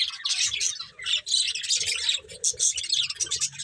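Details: Budgerigars from a breeding pair keep up rapid, bright chirping, short high twittering bursts tumbling over one another with tiny breaks between phrases.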